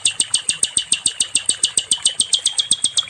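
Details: Song of a nightingale, called sikatan londo, used to teach other songbirds: quick, bright, high ticking notes repeated evenly in a fast rattle-like run, with faint background hum.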